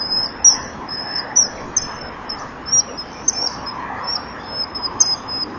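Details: Common kingfisher male and female calling back and forth before mating, recorded by a breeding-wall camera on 18 April 2013 at 17:39; a steady series of shrill, piping high whistles, short and long, over faint background noise.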